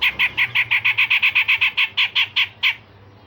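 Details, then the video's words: Grey-cheeked bulbul in full voice, with a fast run of about sixteen harsh, grating notes at a steady rhythm, slowing slightly at the end before fading into quiet. "Cucak jenggot Besetan Kasar dan Tembakan Tajam"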